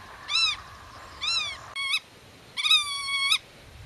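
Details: Nest-defending black-tailed godwit calling to chicks concealed in grass and warning off intruders: two arched nasal notes, a short clipped note, then one long level drawn-out call lasting nearly a second.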